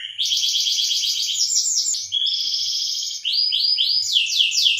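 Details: Breeding-stimulation song of a canary: continuous high trills changing speed between phrases, ending in a series of rising, swept notes, bright and unbroken throughout.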